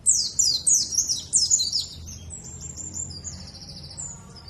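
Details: Warbling white-eye of the Dakun type from Bondowoso, East Java, song used as a lure to get other birds singing: rapid, high, sharp chirping phrases sliding downward, then a thinner, quieter trilling warble over faint low background hum.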